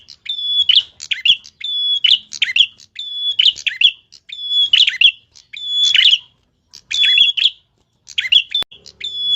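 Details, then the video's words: Tilek in full, energetic song, sharp-voiced: a quick series of phrases, each opening on a clear level whistle and ending in scratchy, chattering trills, repeated almost without pause, with a faint low hum near the end. "tilek gacor suara pedes abiss"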